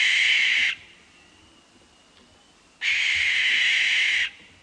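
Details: North American Barn Owl: two long, harsh, hissing shrieks, each lasting over a second, separated by a two-second pause, with no other sounds.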